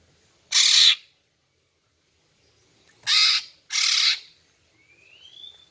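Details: Female greater green leafbird luring males with harsh calls: one rasping squawk, a long pause, then two more in close succession, ending with a faint rising whistle.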